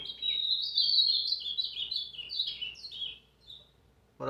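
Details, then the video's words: Ultramarine grosbeak (azulão) in brown plumage singing a fast warbled phrase of short slurred whistles, rising and falling, lasting about three seconds, then fading; a man's encouraging voice breaks in at the end. "AZULÃO PARDO CANTANDO MUITO"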